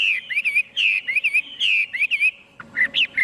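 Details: Chinese hwamei singing clearly: paired, wavering whistled phrases repeated about once a second, each a smooth slur with a bouncing tail, followed by a short pause and a few lower, rougher notes.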